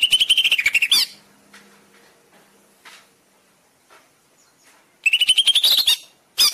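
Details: Greater green leafbird master song for stimulating caged birds: a rapid run of high, rising clipped notes, then near silence with faint knocks, then another fast rising trill and a short final burst.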